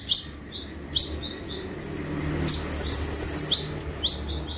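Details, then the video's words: Kolibri ninja (olive-backed sunbird) singing actively in 'tembakan' style for a master recording: isolated high rising notes about a second apart, then a brief buzzy trill and a few thin piercing whistles. "KONIN GACOR FULL TEMBAKAN"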